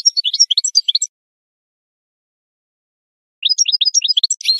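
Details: Goldfinch singing for bird training: about a second of lively twitters, a long pause, then a run of evenly repeated rising chirps at roughly three per second.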